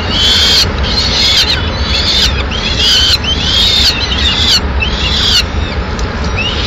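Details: At a Madrid nest on 6 May 2016, a female peregrine falcon arrives with a pigeon; a rapid series of hoarse, arching wails repeats roughly every half second to second, with constant low rumble underneath.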